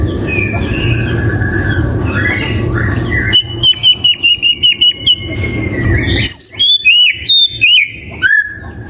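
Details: White-rumped shama singing: after a stretch of noisy background with soft whistles, a run of bright, evenly spaced high notes, followed by sharp, varied whistled phrases with abrupt upward slurs.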